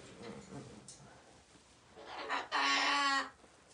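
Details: Escaped pet parrot waking its owner, who is sleeping late instead of going to work: quiet rustling and faint noises, then one loud, harsh, rasping squawk lasting under a second.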